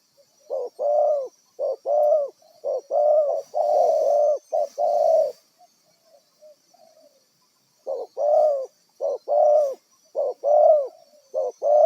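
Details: Wild spotted dove, a decoy bird for trapping, giving low hollow coos in paired phrases, a short note then a longer arched one, repeated about once a second, with a pause mid-sequence and a faint high hiss behind.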